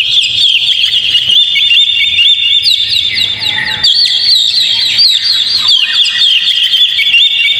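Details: Oriental magpie-robin singing a rich, rapid medley of piercing whistles and twittering chips, played to stir a caged bird into song. The sound is nearly constant, with a brief softer dip midway.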